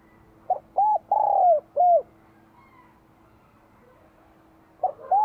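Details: In Vietnam during spring 2023, a spotted dove with a bell-like voice delivers one full cooing phrase: a short note, an arched coo, a long falling coo and a final arched note. The next phrase begins at the end over faint humming.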